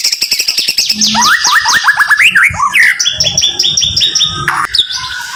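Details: White-rumped shama (murai) in rapid training song: quick descending whistles, then a run of rising slurred notes, followed by repeated clear whistled phrases, dense and fast.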